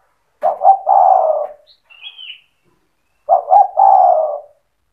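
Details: Spotted dove delivering cetretan song to trigger other doves into singing: two low stuttered coo phrases about three seconds apart, with a brief higher chirp from another bird in the pause.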